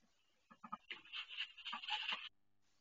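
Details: A duck laying her first egg on her nest, vocalizing in pain: three short low grunting notes, then a sustained strained rasping squawk with pulsing notes before it breaks off.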